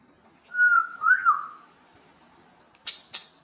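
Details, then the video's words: Pet parrot greeting with a cheerful hello: a clear whistle-like phrase that rises, dips and wavers, followed by two short sharp clicks. "Chatty Parrot Greets the World"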